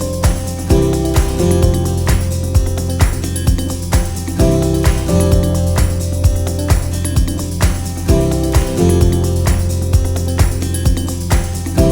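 Upbeat, bass-heavy music with a steady beat plays throughout, and no animal sounds can be heard.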